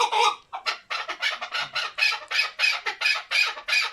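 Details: Male chukar partridge kept for hunting gives a series of harsh, bright chuk bursts repeated roughly every third of a second, with a short gap near the start.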